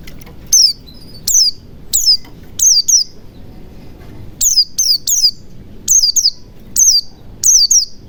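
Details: Wild-style (ngalas) white-eye chirping used to stir quiet white-eyes into singing: piercing, downward-sliding high notes in singles and rapid doubles, a short pause midway, then denser pairs.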